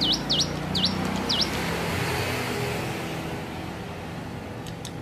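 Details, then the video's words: Hill prinia learning its song: four quick V-shaped whistles, falling then rising, delivered in the first second and a half, followed by quiet with steady background traffic hum. "ciblek gunung belajar bunyi"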